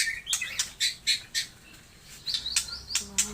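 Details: White-rumped shama song of a Taiwan-type bird: brief whistled notes and sharp repeated chips about four per second over steady background hiss.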